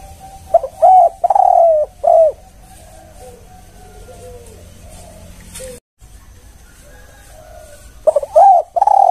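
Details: Lure call from a tekukur (spotted dove): a short note then three low coos with falling ends, a quiet stretch with soft distant coos, and the same phrase starting again near the end.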